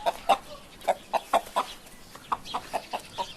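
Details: Chicken clucking in quick, short, clipped notes, about four per second with uneven spacing, some louder than others, over a quiet background.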